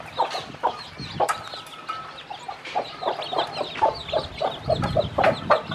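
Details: Brooding hen showing her many baby chicks how to eat; rapid clucks roughly three per second with bursts of high downslurred chick cheeps and clicking pecks.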